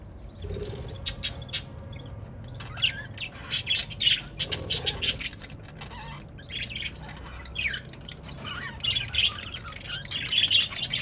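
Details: Budgerigars in an aviary chirp and squawk in quick, high, scratchy bursts as they spend the day together.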